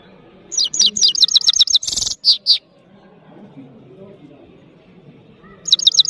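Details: European goldfinch of Parachinar singing a run of rapid, high, slurred twittering notes with a harsh buzzy note and two clear chips, then a pause with low background noise before the twittering resumes.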